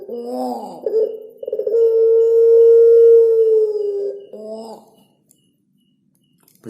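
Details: Collared dove of the puter pelung style with cengkok: wavering introductory notes, then a sustained, smooth, hooting coo of about two seconds that drops gently, ending in another trembling phrase before silence.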